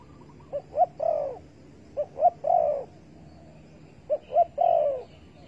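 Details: Spotted dove on 15 August 2020, at a trap set with bare bait, calls in three phrases, each of two short rising notes leading into a longer mellow coo, spaced about two seconds apart.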